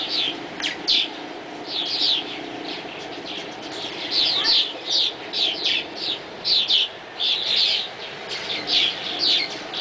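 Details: High, scratchy twitters from swallows flying at dawn, starting sparse and then building into dense, irregular bursts of chatter.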